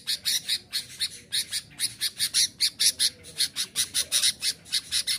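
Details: Persistent song of a sooty-headed bulbul, used to challenge rivals and draw wild birds: dense, steady bursts of high, sharp chirping notes, about four each second, over a quiet background.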